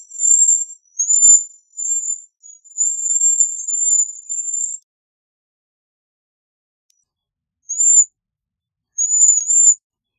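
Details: Bohemian waxwing producing a run of high, thin, sibilant trills that join into a long, steady note for about four seconds, then a pause and two short trills.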